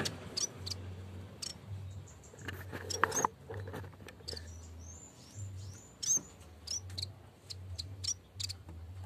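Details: Yellow-bellied warbler calling to its rival, in full voice: a quick run of thin, very high, slightly slurred notes in the middle of the clip, with irregular tapping clicks and a constant low droning hum.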